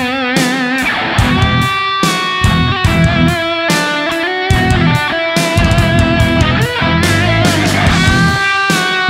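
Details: Loud electric guitar music with strummed chords and heavy rhythmic bursts, and no animal sounds.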